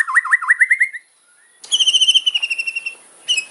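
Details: White-rumped shama giving a loud, fierce 'kretekan' fighter song with sharp fills: six quick swooping V-shaped whistles, a short pause, then a fast high rattling trill of even ticking notes that slows and fades, followed by a brief high burst.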